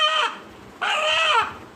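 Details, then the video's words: Dark red, black and light purple native-breed rooster from Narayanganj, Bangladesh, said to call 'Allah Allah' at slaughter: the fading end of one harmonic call, a short pause, then a loud, rich call lasting about half a second. "জবাই করতে গেলেই আল্লাহ আল্লাহ ডেকে উঠে মোরগ! | Rooster Calling Allah"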